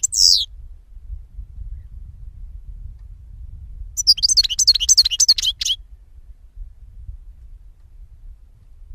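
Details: Goldfinch song from 2016: a quick descending sweep, a long quiet stretch with low rumble, then a brief run of rapid high twittering notes before fading.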